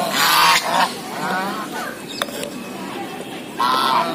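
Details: Goose walking in a zoo: a loud rasping honk opens, then quieter scattered calls follow, and a second coarse honk burst comes near the end.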